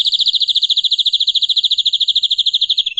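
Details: Canary singing at length: a sustained, rapid, tone-like trill of bright repeated high notes running evenly for three seconds, slightly dropping at the very end.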